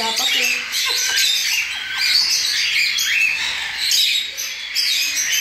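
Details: Cockatiel chicks, recently out of the nest, being hand-fed formula three times a day; continuous harsh, raspy, hissing begging calls from several chicks overlapping in a dense churring chorus with short squawky bursts.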